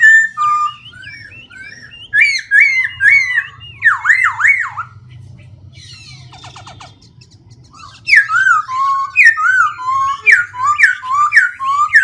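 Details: A Black-throated laughingthrush sings with constantly changing voice: rapid sweeping whistled notes and wavering trills, a short quieter stretch of soft chatter midway, then a renewed burst of loud, jumping, varied phrases.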